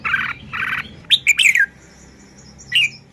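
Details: Red-whiskered bulbul in Thailand showing its song style: two harsh buzzy bursts followed by a quick cluster of bright slurred whistles and a final short whistle.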